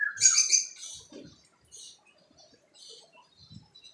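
A young cockatiel opens with a harsh, rasping chirp, then drifts into soft, scattered twittering.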